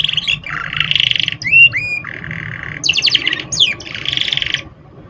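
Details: Canary singing as a lure for young canaries, also for stressed or lazy singers: rolled buzzy trills, clear sliding whistles, fast descending sweeps and another long roll, over a low hum.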